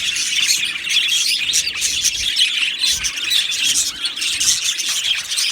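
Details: Budgies singing and chirping in an Australian budgie aviary colony: dense, continuous twittering and bright warbles from many birds, slightly louder bursts throughout.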